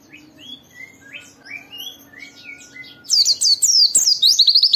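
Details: Singing white-eye used to stimulate others: soft, varied, slurred whistles at first, then a sudden loud burst of fast, high, zigzag chirping. A low steady hum underneath.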